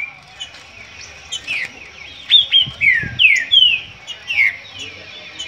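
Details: Green-winged saltator singing in a dispute, loud clear whistled phrases of sweeping downslurred notes delivered in quick bursts, several in a row after a quieter start.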